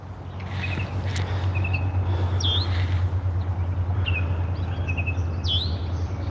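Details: Wild red-winged blackbird at a lake in western Virginia, United States, alongside another chirping bird: scattered short trilled chips and a few sharp rising whistled notes over a low steady rumble.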